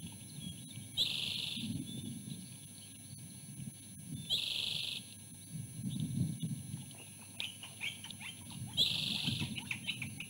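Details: Female osprey at the nest eating her own fish, warding off her mate as he reaches for a bite; short high whistled bursts near the nest, repeated several times, over a constant low background rumble and steady tones.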